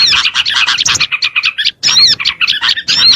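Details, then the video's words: Small birds calling on a lure recording for attracting small birds: fast, sharp high chirps and squeaky notes in a tight run, a brief gap, then the busy twittering resumes. "SUARA PIKAT BURUNG KECIL"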